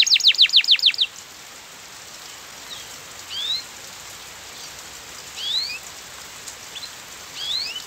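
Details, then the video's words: Canary used as a lure to make a silent canary sing: one loud rapid trill of about eight descending notes opens, then only soft scattered rising chirps over steady hiss. "Kenari Gacor PANGGILAN JITU Kenari Diam Bakal Nyaut"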